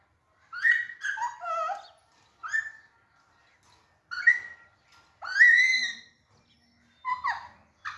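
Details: Green Alexandrine parakeet playing in a cage, in an active, jolly mood: a run of hoarse, nasal squawks and chattering notes in short bursts separated by brief pauses, the loudest a drawn-out rising-falling screech near the end.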